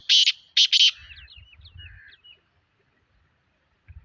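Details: Black francolin, locally called kala tetar or Sindhi tetar, calling: three loud, harsh, grating notes in quick succession, then faint thin squeaky chirps over a low rumble.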